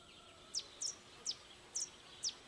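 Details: Blue-and-yellow tanager giving five thin, very high, sharp notes, some doubled, spaced about half a second apart, over a quiet background hiss.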